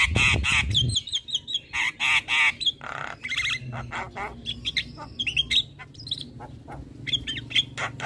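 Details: Javan myna chattering without pause: loud nasal squawks, wavering warbled phrases, rapid clicks and brief whistles tumbling together at a fast, uneven pace, low hum in the background.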